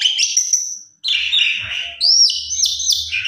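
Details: Javan pied starling in full-variation gacor song as a lure for a sulking bird: a chattering whistled phrase, a brief silence, then a rough buzzy stretch and a rising whistle leading into high trills.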